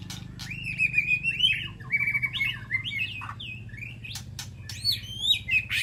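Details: A White-rumped shama in an aviary calls to its flock with rich, varied whistled phrases, sliding notes and sharp clicks in quick succession, over a steady low hum.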